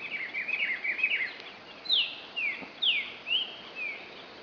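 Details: A true Green-winged Saltator (Saltator similis) sings its 'lambada regional' song type, recorded 08/12/2011: a warbled opening phrase, then clear down-slurred whistles about half a second apart. A Rufous-browed Peppershrike (Pitiguari) sings in the background over steady hiss.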